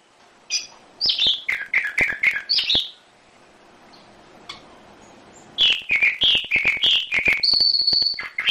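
A canary sings two quick bursts of bright, chirping notes and short trills, high-pitched and lively, with a brief quiet gap between them.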